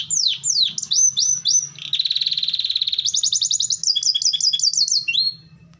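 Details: Extended canary song for starting other canaries: swooping slurred whistles, a dense low buzzing roll, then fast high trills and a closing rising slide, all delivered without pause.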